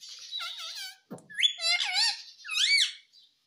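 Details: Indoor talking parrot, said to say "mummy" and "papa"; a continuous string of harmonic, speech-like squeaky phrases with bending pitch, broken once by a brief low thump.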